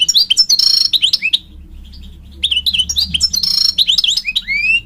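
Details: A male European goldfinch calls to a female. Two bursts of rapid, liquid twittering, mixed with buzzy trills, are split by a second of quiet. The song ends with a rising whistled note.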